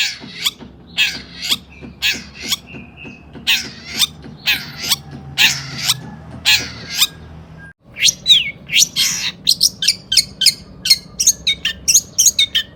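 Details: Long-tailed shrike singing excitedly as a lure for other shrikes: slow, evenly spaced rasping buzzes at first, then a short pause and a quicker stream of sharp high chips and whistles.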